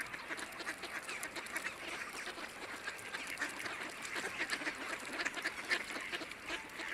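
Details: Eurasian wigeon wintering with mallards on a non-freezing urban pond in central Russia where people feed the ducks: short whistles over dense chattering and quacking of the busy flock.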